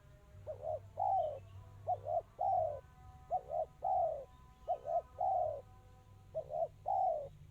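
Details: Crystal-style spotted dove song, delivered tight and fast: four phrases in a row, each a clipped double note leading into a fuller, descending coo, with a faint low hum underneath.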